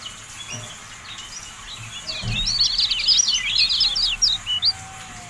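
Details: Javan white-eye (kecial kuning) masteran recording: after a quiet start with faint low thumps, a dense, fast jumble of high twittering notes builds and races on, ending in a few separated chirps.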